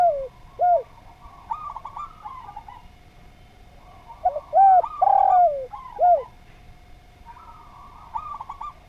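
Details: Spotted dove singing for a training recording for other doves. Fainter trilling coo phrases alternate with louder bursts of short, clear downslurred coos, including one long sliding coo near the middle.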